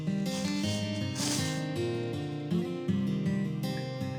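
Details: Strummed and plucked acoustic guitar music playing steadily throughout, with no birdsong or other animal sounds.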